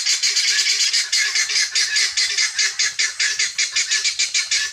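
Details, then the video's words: Free-range helmeted guineafowl searching for food give harsh, grating calls repeated in a rapid, steady rhythm of about two or three per second. The calls are loud and continuous throughout, with no other clear sounds. "GUNea Fowl Saund and searching feed free range"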